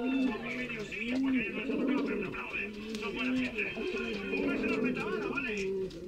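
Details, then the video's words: Canary pouter pigeon males in good breeding condition, very ardent, kept birds: deep rounded coos swelling and falling in repeated phrases roughly every second, several birds overlapping, heard indoors with a faint background murmur. "Unos palomos buchón canario unos Machos muy fogosos y están a topes."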